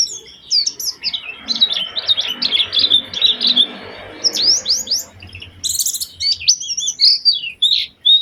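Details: Oriental white-eye used as a lure to prompt other white-eyes to sing: rapid high twittering phrases of thin, sharply rising and falling chirps, clustered in bursts with brief pauses, some very high notes near the end, faint low hum beneath.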